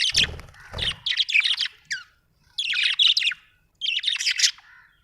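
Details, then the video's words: Budgerigar chirping in three bursts of scratchy chattering warble separated by short pauses, with low thuds at the start. "Budgie chirping sound"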